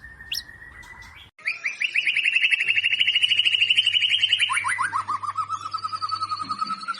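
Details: Fast white-rumped shama lure song: a short whistle, then a long, rapid, even trill that drops in pitch partway through and keeps going at a lower pitch.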